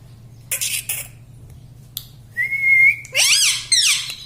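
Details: Pet talking parrot indoors, kept by its owner and trained to mimic words such as "mummy": two short harsh bursts, a clear rising whistle held about half a second, then loud harmonic, voice-like squawking phrases with falling sweeps.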